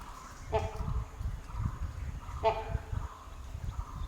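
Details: Great Hornbill in the central zone of Kaziranga National Park, Assam, heard on safari, giving two loud, harsh, barking calls about two seconds apart, over a low engine rumble and quiet human voices.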